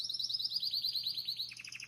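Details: Belgian canary song, starting with a rapid high trill of sweeping notes that slows into a run of distinct downward-slurred whistles near the end.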